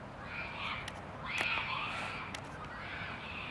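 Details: A common moorhen (Gallinula chloropus) in Tivoli Landscape Park, Ljubljana, Slovenia, on 20 December 2022 gives harsh, raspy croaking calls over a steady hiss of background noise, with a couple of sharp clicks.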